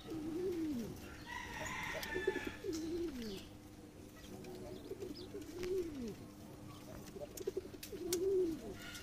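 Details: Male domestic pigeon placed with a female in a pairing cage, cooing as she accepts the pairing; he was taken from his chick. Low rolling coos rise and fall repeatedly, with brief rustling and other bird chatter behind.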